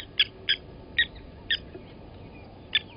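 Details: Blacksmith lapwing at a Djuma Game Reserve waterhole, South Africa, 29 August 2020, as an adult kills a chick: a few quieter, scattered clinking notes over a background hum.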